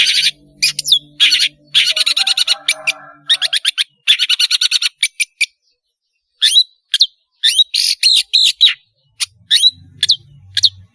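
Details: Long-tailed shrike singing vigorously as a lure for learning juveniles: long runs of rapid scratchy chatter, then a pause, then separate sharp whistled slurs and clicks.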